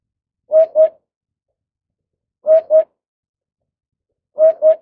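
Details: Eurasian hoopoe (Upupa epops) at a nest while feeding a chick, giving soft, low, hollow paired 'oop-oop' hoots, repeated about every two seconds, three times, with silence between phrases.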